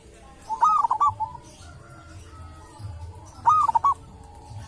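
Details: Two staccato cooing phrases roughly three seconds apart from a local wild zebra dove at a sacred tomb, each a high first note followed by rapid short coos, over low rumble.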